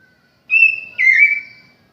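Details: Home-kept oriental magpie-robin, kacer jowo, giving two clear whistled notes: a steady high whistle, then a brighter note that slides slightly downward and fades, on a silent background.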